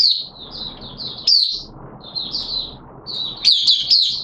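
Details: Oriental white-eye, a hobby songbird kept by a keeper, in opening song during wet weather on 6 September 2022: high, thin twittering phrases in quick bursts, brief pauses between runs, with low background hum.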